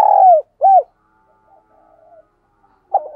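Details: A decoy dove coos to call in wild doves, giving two loud, low, hollow coos in quick succession, then a fainter murmur and one more coo near the end.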